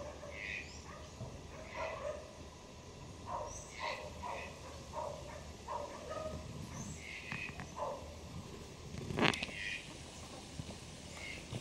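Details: A young great kiskadee, hatched and growing up free in a garden, gives short, harsh, harmonic notes, repeated in loose series every second or so, over a steady background hiss with one sharp knock.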